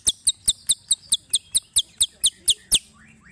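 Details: White-rumped shama in bius pompa song: a steady pumping series of about a dozen sharp, high double-toned chips, roughly four per second, with a faint rising note after the last.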